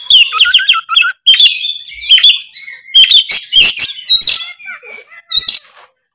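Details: Oriental magpie-robin (kacer) singing full ngeplong: quick descending whistled note series, then varied sharp chirps, rasping notes and high squeaks in an energetic jumble.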